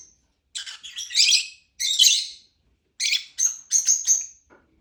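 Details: Lovebird chirping: two harsh, scratchy bursts, then a quick row of sharp, whistled notes at a steady high pitch.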